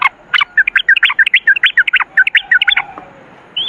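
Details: Yellow-vented bulbul singing in the 'ropel ngalas' style: a fast run of short chirped and slurred notes, about three per second, lasting nearly three seconds, then a pause and a lone rising whistled note.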